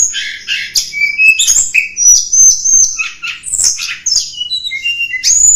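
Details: Lure song of the blood-breasted flowerpecker (tledekan gunung), meant to attract wild birds: a continuous, rapid mix of sharp high chirps, short buzzy notes and quick downslurred whistles.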